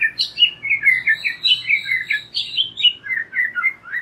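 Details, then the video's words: White-rumped shama lure song for young birds: rhythmic, bright whistled notes in quick succession, each short phrase repeated at an even pace throughout. "Pancingan MURAI BATU BAKALAN dan MUDA HUTAN agar NGEPLONG"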